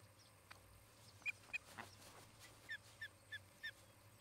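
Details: Osprey pair at a newly built nest in Charlo, Montana, on 17 August 2018, picked up by a nest camera: about eight short, sharp whistled chirps, some in quick pairs, over a faint steady low hum.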